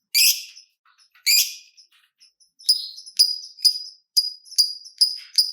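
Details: Lovebird, a fighter type, used as a lure to set other lovebirds singing: two harsh raspy bursts, then a run of sharp chirped notes about twice a second, each with a bright upper edge.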